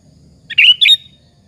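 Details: Kutilang (sooty-headed bulbul) singing to provoke other bulbuls; one brief liquid phrase of two bubbly chirped notes followed by a thin trailing whistle, quiet low rumble behind.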